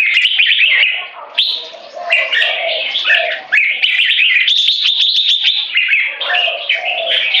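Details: Two full-fledged competition jambuls, or Red-whiskered Bulbuls, aged 3.5 and 7, use butir singing and gaya display to subjugate each other. Bright rising whistles and rich warbles tumble together, with short pauses near one and three seconds.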